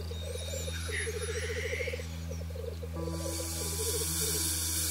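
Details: Black grouse males displaying on a lek arena before mating: steady bubbling, rolling coos in fast pulsed bursts from several birds, a hissing burst and faint higher calls, over a constant low hum.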